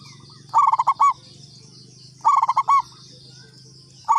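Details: Local zebra dove lure call: a burst of rapid, stuttering notes ending in a short coo. Bursts come near the start and just after two seconds, and a third begins at the end, over a steady low hum.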